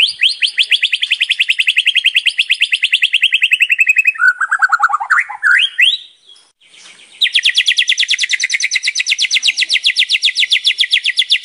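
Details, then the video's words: White-rumped shama (murai batu) in full-content 'gacor' song: a long, buzzing rattle of rapidly repeated notes gradually falling, a few lower swooping whistles, a short pause, then another sustained high rattle. "SUARA MURAI BATU GACOR FULL ISIAN"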